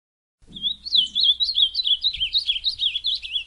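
Ultramarine grosbeak singing a fast, continuous, high warble of rising and falling slurred notes, with faint low thumps beneath.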